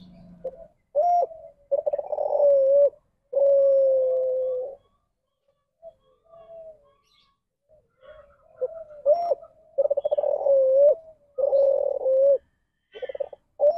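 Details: Spotted dove giving the deviant ndanglong style of coo, a variant departing from the standard call; drawn-out low hooting notes in uneven bursts, some long and level, some clipped and stuttering, with pauses between phrases.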